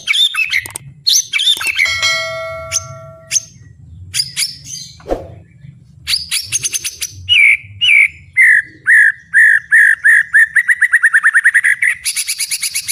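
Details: White-rumped shama singing loudly and aggressively: harsh mixed chatter and buzzy notes at first, then a steady series of repeated downslurred whistles speeding into a rapid trill and high rattling finish.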